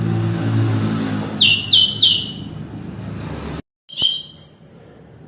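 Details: Chestnut-capped thrush (anis kembang) giving three quick ringing whistled notes, then after a brief break a higher chirp and a thin drawn-out whistle, over a steady low engine drone.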